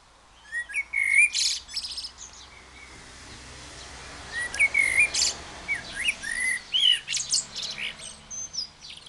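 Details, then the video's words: A blackbird sings freely in short, varied phrases of fluted whistles that break into high, scratchy twitters, several a second with brief pauses between bursts. "blackbird sings freely"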